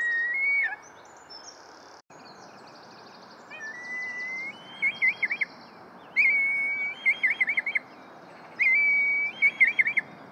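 Red Kite giving a high, drawn-out whistle that breaks into quick wavering notes, three times in ten seconds, with faint chirps from other birds and a steady background hiss.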